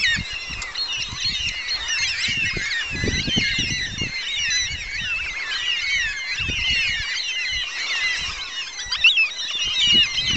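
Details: A flock of cockatoos on a coastal plains trail roughly 8 to 15 km out from Yanchep, giving many overlapping harsh, screeching calls continuously, with low thumping footsteps of a walker beneath.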